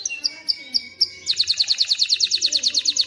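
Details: Male canary singing to encourage chicks to sing and females to mate: four evenly spaced high chirps about twice a second, then a quick rhythmic trill of bright notes.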